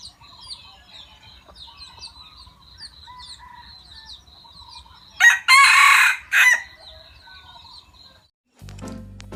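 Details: Kept decoy junglefowl, valued for its fine voice, crows once in three parts, short, long and short, over steady high chirping of small birds, followed by a brief low mechanical noise.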